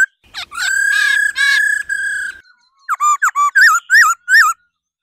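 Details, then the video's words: Female laughingthrush giving its 'ro ro' calls to stimulate males into singing: a long, steady, harmonic-rich whistled note broken into three sustained bursts, a pause, then six short looping, wavering notes in quick succession. "Khứu mái ro ro.kích trống hót căng"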